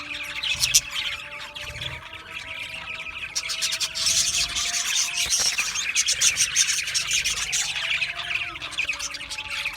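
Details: Budgerigar flock warbling and chirping nonstop, quick clicking ticks and bright squeaky notes rising in a busy dense chorus, louder in the second half, with a faint continuous hum.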